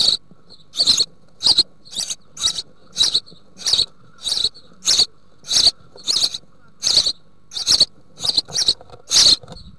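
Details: Family of house sparrows in the Altmark, Germany, June 2019, with a female bringing large green bush-crickets to nearly fledged young in a nest box. Dense run of harsh, scratchy chirps, some in quick pairs.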